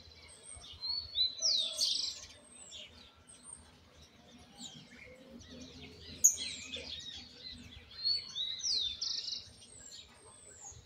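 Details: Juvenile Argentine white goldfinch working on a misisipi song: faint scattered twitters broken by two louder bursts of sweeping whistles and buzzy notes, several seconds apart, over low background noise.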